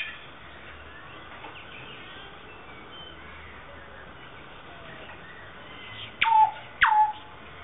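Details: One of a breeding pair of South Island kaka in a public aviary at Dunedin Botanic Gardens, New Zealand, swinging on a chain, gives two quick, loud whistled notes dropping sharply in pitch, about half a second apart, after several seconds of quiet hiss.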